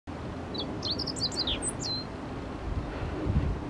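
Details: Meadow bunting singing while perched on a rock: one quick phrase of high, sharp, varied chirps and slurred downward notes lasting about a second and a half, over a low background rumble.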